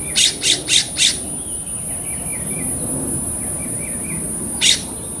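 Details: California Scrub Jay at bath time in Los Angeles, California, filmed June 6, 2022. It gives four harsh, raspy notes in quick succession, then a lone rasp later. Soft twittering chirps from a smaller bird come in between, over a constant high whine.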